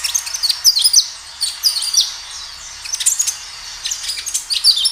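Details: Kinoi in lively song, a natural recording used as a lure to make captive kinoi respond: dense, high, chattering phrases of sharp chirps and short slurred whistles, repeated almost without pause.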